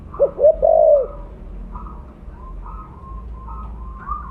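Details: Spotted dove of the blorok colour form with a big voice, used as a lure: a rapid phrase of deep coos ending in a long drawn coo, then faint whistled notes from other birds.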